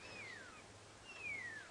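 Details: During a late-July sunset safari drive in the African bush, a drongo gives two clear, descending whistles about a second apart, mimicking a pearl-spotted owlet, over a faint low hum.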